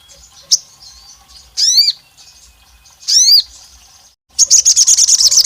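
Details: High, downward-sliding whistled notes from an olive-backed tailorbird, a sound said to resemble a female calling the male and to anger rival males; two sweeps after a sharp chip, then a rapid shrill trill begins.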